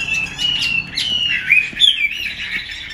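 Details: Female Chinese hwamei in a cage, its 'xùy' and 'te dụ' calls meant to fire up males; harsh, scratchy chatter broken by bright, rising whistled notes and brief squawks.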